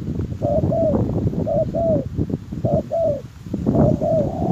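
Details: Spotted dove calling to lure wild doves: soft, low coos in downward-curving pairs, four phrases in quick succession, partly masked by heavy low-pitched rumbling and rustling.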